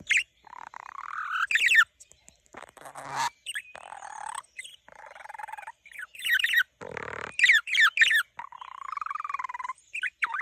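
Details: A pet budgerigar that loves to talk and sing warbles continuously, mixing chattering buzzes, rapid clicks and harsh squawky notes.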